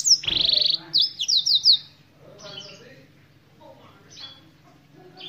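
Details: Black-throated canary opens loudly with a harsh rasping note and a fast run of bright, clipped chirps, then continues with softer, scattered high twitters and pauses.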